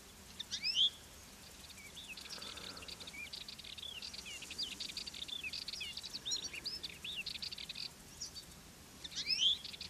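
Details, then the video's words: A wild European goldfinch singing on fennel in the Garraf Massif, Catalonia, gives a fast, tinkling twitter of high liquid notes for several seconds, framed by two sharper, louder rising calls, with faint background hiss. "jilguero cantando"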